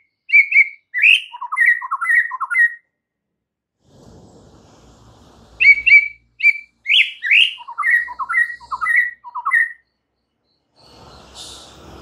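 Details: White-rumped shama song meant to provoke rival shamas: quick series of clear whistles stepping down from high to low notes, repeated in two bursts with a quiet gap and faint background rustle between.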